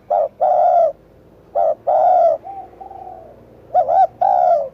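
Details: Cooing spotted dove: short clipped notes each paired with a longer rich coo, plus a soft lower coo between phrases and a quavering double note near the end.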